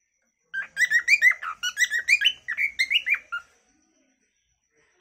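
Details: Natural calling song of a cockatiel: one continuous run of quick chirps and whistled warbles, rising and falling notes delivered in rapid succession for about three seconds, then silence.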